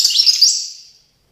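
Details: A European goldfinch in Tiaret, recorded 2019, gives a brief burst of high, tinkling twitters, several quick notes in half a second, then the sound rings away in an echoing tail.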